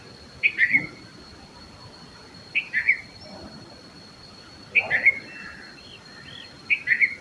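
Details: Red-vented bulbul repeating the same quick, cheerful three-note phrase about every two seconds, four times in all, with a steady faint electrical whine in the background.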